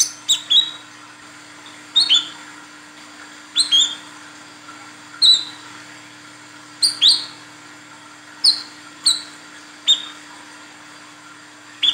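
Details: Female Olive-backed Sunbird calling to a male, kept as a lure: repeated pairs of piercing high notes dropping in pitch, about eighteen bursts a minute at irregular intervals, with a steady low hum throughout.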